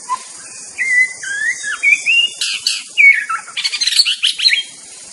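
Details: Wild White-rumped shama singing a varied run of clear, sliding whistles, then harsh, scratchy notes, over a steady high hiss of insects.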